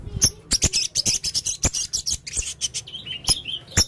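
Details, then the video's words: A male blue-crowned hanging parrot delivers a dense, fast run of shrill clicks and squeaky high chirps in gacor konslet teler main singa style, with barely a pause. "burung serindit jantan gacor konslet teler main singa"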